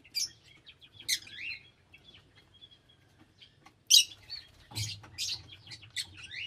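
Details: Several lovebirds give loud, harsh squawks and rising shrill chirps in irregular bursts, with quieter twittering in between.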